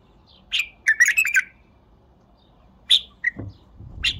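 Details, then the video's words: Bulbul singing a short, bubbling phrase of several rapid, fluty notes, then after a pause isolated clear chirps, with a faint thump in the background. "اقوه تغريده بلبل تمر"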